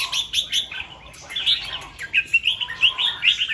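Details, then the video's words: In the morning, a red-whiskered bulbul gives its double 2-3 and 'rik' song styles as lively, rising warbled phrases and quick repeated notes. Thin, high chirps sound at the start. "เสียงนกกรงหัวจุก ร้องเบิ้ล2-3 ร้องริก"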